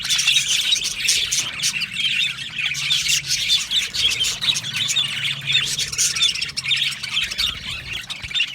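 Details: Budgerigar colony in an aviary, a steady mass of overlapping high chirps, squeaks and warbling chatter without pause, with faint low rumble beneath.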